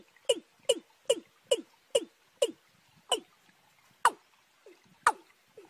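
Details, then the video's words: Watercock call series, young and wild birds combined, March: rapid falling knocks that slow and space out, the last few notes sounding higher and sharper, with faint softer notes between. "cúm núm gà tơ kẹp với cúm núm gà đồng tháng 3"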